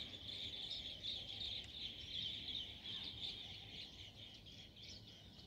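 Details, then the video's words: Morning song of bee-eaters: a high, busy chorus of rolling, trilled chirps, repeated about three times a second over a low background hum. "morning song of bee eater"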